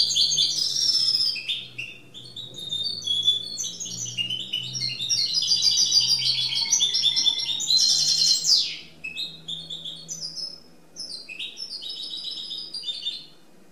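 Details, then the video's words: Goldfinch mule in free song, delivering bursts of high twittering trills and chirps with brief pauses between phrases, over a faint low hum. "Goldfinch Mule singing free !"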